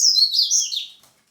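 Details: Wild white-breasted seedeater (papa-capim peito branco) with a brief, high, warbled phrase of slurred notes that drops slightly in pitch and fades out within a second.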